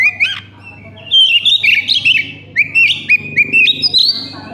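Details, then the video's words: Oriental magpie-robin song used as a lure to make other magpie-robins sing: loud, varied whistled phrases, sliding and warbled notes in quick bursts, with a low steady hum underneath. "pancingan kacer konslet"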